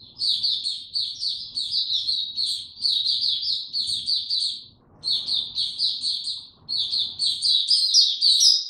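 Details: Caged white-eye, a bird named Hercules, singing in its opening song with no health supplements given: a continuous stream of high, thin, rapid chirping and twittering phrases, with brief pauses near five and six and a half seconds and faint low background hum.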